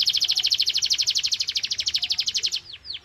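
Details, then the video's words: Canary singing at full power to coax other canaries into song: a rapid pulsing trill for over two seconds, then a few spaced descending swoops. "Canary singing FULL POWER"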